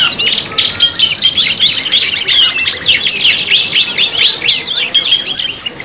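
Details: Canary lure song (pancingan), 5 in 1: thin, high chirping and shimmering trills with clusters of steep rising-falling notes, delivered as a constant busy warble.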